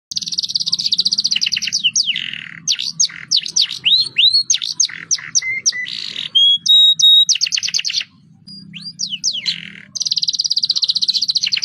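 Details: Canary singing a lively roll song, used as a lure to prompt other birds to sing: fast buzzy high trills, swooping whistled notes and chattering phrases, a short pause, then the rapid trill resumes.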